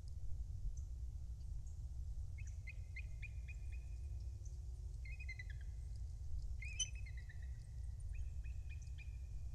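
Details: Bald eagles at a nest in Kisatchie National Forest, central Louisiana, recorded on 20 December 2023 at 07:52: series of thin, high chirped notes in quick runs, repeated several times over a steady loud low rumble.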